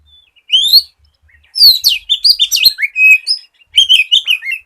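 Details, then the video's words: White-rumped shama song used to lure other shamas into singing: an upslurred whistle, then a long run of rapid, varied notes, whistles and buzzy chirps, closing with a final quick chattering phrase. "SIULAN KACER GACOR COCOK BUAT PANCINGAN KACER BAHAN AGAR CEPAT BUNYI"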